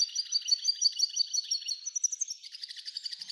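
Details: An F1 hybrid goldfinch singing a fast, high twittering trill of sharp, repeated notes, about three per second, shifting to a quicker buzzy series near the end.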